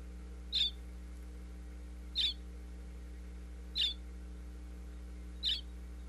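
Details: Bluebird nestlings calling from inside a birdhouse in Pennsylvania as the parents bring food, captured by a wireless microphone in the box: four brief high chirps spaced evenly about every one and a half seconds, with constant low hum.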